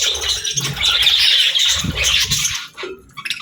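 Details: Pet parrot in its morning routine, chattering in a long continuous burst of harsh, buzzy squawks, then trailing off into a few softer notes, with faint low thumps beneath.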